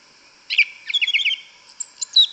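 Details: A yellow-legged thrush in the forest sings a short phrase of about seven quick, evenly spaced chirping notes, followed by a few thin high whistles and a final bright slurred note.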